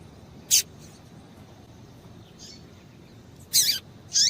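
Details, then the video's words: Double-collared seedeater female calls intended to excite a male: a single sharp high note, a faint soft chirp, then a longer buzzy chirp and a final slurred squeak, low background hiss. "Piado de Fêmea de Coleiro Com Piado de Fêmea de Coleiro Quente para Esquentar Coleiro tui tui"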